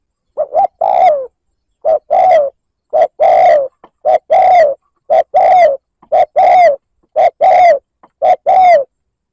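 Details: Spotted dove cooing in the liêu lỡ style as a lure to provoke rival doves: hollow three-part phrases, a short note, a coo and a longer falling coo, repeated roughly every second in a steady run without background noise.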